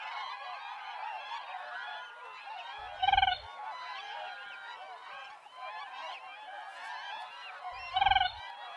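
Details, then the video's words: Siberian crane giving two loud, rattling, harmonic calls about five seconds apart, each a short pulsed burst, over a steady dense wash of background noise. "Siberian Crane Sound// Siberian Crane Call//درنای سیبری کی آواز"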